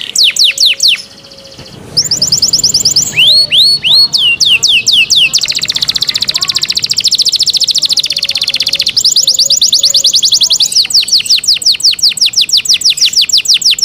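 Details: Canary singing cenkok style, with long runs of rapid high trills and downward-sliding notes, a brief lull early on, and the song shifting between buzzy rolls and crisp repeated sweeps.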